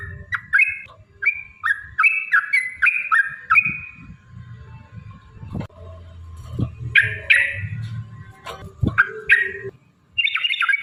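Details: Yellow-vented bulbul in lively, long rapid 'ropel' style singing, used as a lure to provoke other bulbuls to sing and fight: short bubbly, warbled phrases in bursts, pausing mid-clip, with low rumbling and thumping noise underneath.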